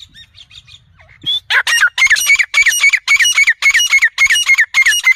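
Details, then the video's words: A francolin gives loud, harsh, ringing notes repeated about every half second in a steady series, after a few faint chirps at the start. "titur ki awaaz"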